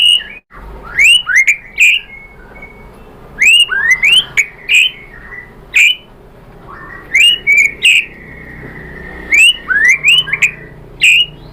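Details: White-rumped shama song used as a lure for other shamas: bursts of sharp upswept whistles and short phrases, separated by pauses of about a second or two.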